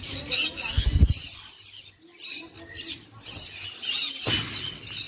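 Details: Shrill squeals and screeches from a sun conure, coming in loud bursts at the start and near the end, with a quieter stretch between and some low thumping.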